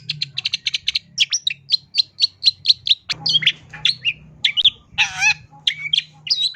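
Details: Long-tailed shrike delivering a busy, mimicry-rich song: rapid high ticks give way to spaced whistles, slurred notes and a rough, scratchy burst midway, with a low steady hum behind.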